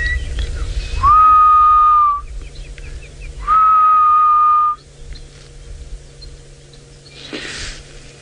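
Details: Grey-headed bushshrike calling on an afternoon game drive at Djuma Game Reserve, Sabi Sand, South Africa, 23 November 2017: two long, drawn-out level whistles, each about a second, spaced roughly two and a half seconds apart, over low vehicle hum.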